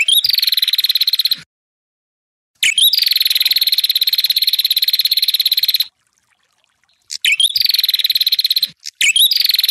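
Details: Ashy tailorbird song used to stir rival birds. Long machine-gun-like trills of rapid buzzy pulses, one stretching over three seconds, each introduced by a rising twittered note, with short clipped notes near the end.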